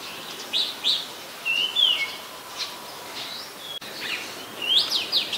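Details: Oriental magpie-robin, very common resident of Ubon Ratchathani, Thailand, 24 December 2020; scattered clear whistles and slurred notes separated by pauses, one sharp click midway, ending with a brighter rising phrase.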